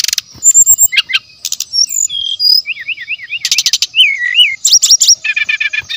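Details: Brown-chested jungle flycatcher lure song said to be rich in natural sounds: quick chips and rattles, a series of short hooked whistles, a wavering warble and a fast stuttered run, dense and varied throughout.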